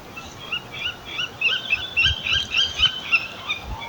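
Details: Two young tawny owls, found high on a branch in a park in June, give thin, high squeaky begging notes at night, several per second in an uneven run, over a faint low outdoor rumble; they stay silent by day.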